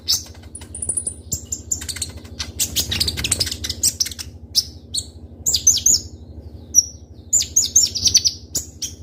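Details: A kolibri ninja sunbird kept as a lure sings a rapid, crystal-sharp medley of thin high whistles, chirps and buzzy notes in close bursts, with a quiet low hum in the background.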